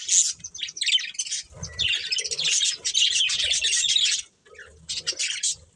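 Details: Breeding pair of colourful budgerigars giving continuous fast, scratchy high-pitched warbling and chirps in long bursts, pausing briefly near the end before resuming with short twittering phrases.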